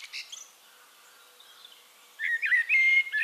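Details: Singing Eurasian blackbird recorded in Castricum, the Netherlands; after faint distant notes and a quiet gap, a clear fluted whistling phrase rises and falls over the last second.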